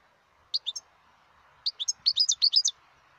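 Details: Wild European goldfinch singing: bright, high twittering notes in quick tinkling bursts, a short phrase, then a longer run of rapid chirps with faint background hum.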